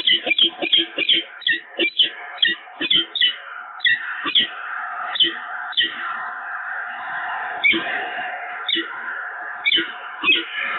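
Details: At the Evoluon nest on 7 March 2022, peregrine falcons bond again: a long run of loud, wailing, creaky calls, each ending in a clipped accent, repeated roughly every half second at first and then slowing.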